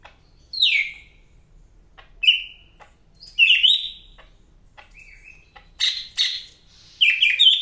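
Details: Greater green leafbird, locally called cak ijo medan, singing energetically: loud, clear whistled notes that slur downward, plus short buzzy phrases, given in separate bursts about every second with quiet gaps between.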